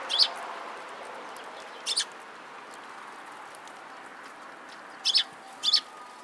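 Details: Sparrows gathering at food at a shrine in Japan, 26 March 2017, giving short high double chirps at irregular intervals, with quiet stretches between them and a faint steady hum.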